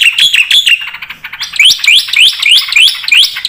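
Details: Strong song from a black-winged starling with fill-in phrases. A few steady high notes lead into a repeated series of rising, squeaky, slurred phrases, each about a third of a second long.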